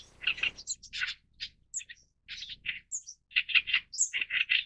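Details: Oriental Reed Warbler singing clusters of gritty, grating notes broken by short pauses, with several thin high squeaks; the phrases grow louder and denser toward the end.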